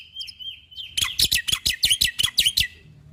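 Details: Black-winged starling, caged, singing for a training recording: a thin level whistle, then about ten loud, evenly spaced sharp chips in quick succession.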